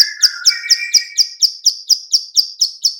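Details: Clicking call of a female bar-winged prinia, used to lure birds: regular sharp high clicks a little over four per second, with a lower trilling voice overlapping during the first half.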